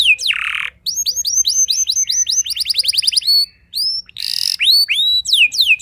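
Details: Persistent canary song that provokes rival canaries. A buzzy burst opens a long rolling trill of repeated notes, followed by a second harsh buzz and a few bright rising upslurs.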